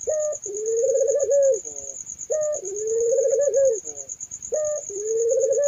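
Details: Spotted dove repeating its coo three times at regular intervals, each a short upper note sliding into a long, gently wavering lower tone. A persistent high-pitched insect-like trill continues underneath.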